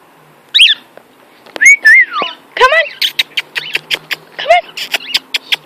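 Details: Male pet cockatiel singing and flying, giving sliding whistled notes near two kilohertz mixed with short harsh chirps and quick clicks, with a person's voice nearby.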